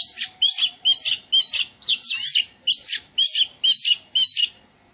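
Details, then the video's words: Oriental magpie-robin in a garden singing melodious song: short whistled, slightly buzzy phrases repeated about twice a second with fairly even spacing, each phrase similar but varied, over a faint low hum. "In the garden: Oriental Magpie Robin - Melodious birdsong"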